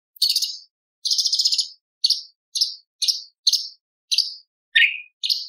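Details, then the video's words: Light-vented bulbul used as a masteran (tutor) bird, delivering a fast trilled phrase followed by a string of short, sharp high chirps and one lower downslurred note near the end. "CUCAK CUNGKOK ISTIMEWA - TEMBAKAN ISTIMEWA"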